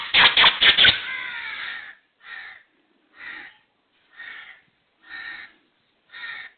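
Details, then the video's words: Black francolin, known locally as kala teetar, calling: a loud burst of rapid harsh clicking notes opens, then five rasping, buzzy notes follow at roughly one-second intervals against a quiet background. "KALA TEETAR | BLACK FRANCOLIN | TETAR VOICE"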